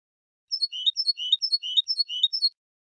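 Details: A European goldfinch, a competition-song training recording, sings a bright, tinkling twitter of high notes, repeating a similar short phrase about four times in two seconds. Nothing else is heard.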